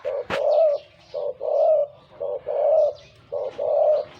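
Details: Big-voiced decoy spotted dove, caught in the wild, coos steadily with a sharp click at the start. A short note is followed by a long mellow coo, and the pair repeats about once a second.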